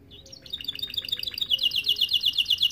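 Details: Starblue canary in full song, used as a model for young canaries: a short whistle, then a dense, accelerating high trill of rapid chirps that grows louder.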